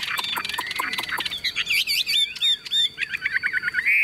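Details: Caged tame Chinese hwamei, cage hand-carried and shaken, sings a jumble of buzzy chatter then sweet slurred whistles and a quick series of short hooked notes ending in a bright trill.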